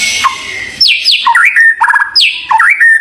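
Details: White-rumped shama, a prized champion songbird; clear whistled notes sliding downward, followed by repeated rising and falling phrases and a steady held tone, loud and close.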